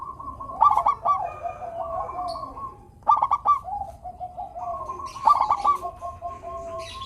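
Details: Melodious local zebra dove, played to prompt reluctant doves to sing, gives three bursts of rapid rolling coos, with softer drawn-out cooing from other birds between them and a faint high chirp.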